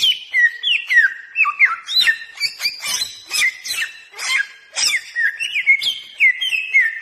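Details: Lure song of a bare-throated whistler, an Indonesian endemic from Flores and Sumbawa: rapid succession of clear whistles, downward slurs and sharp high chips, full and energetic throughout, no other sounds evident.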